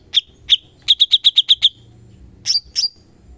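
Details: Cucak cungkok bulbul from a songbird training recording: two spaced chirps, a quick run of seven even notes, then two buzzy downslurred calls.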